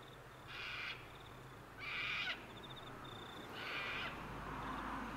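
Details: Sulphur-crested cockatoos at Mt Coot-tha in Brisbane, Queensland, recorded on a Canon R7 on 6 November 2022: three loud, harsh, raspy screeches about 1.5 seconds apart, each roughly half a second long, with a faint high steady whine behind.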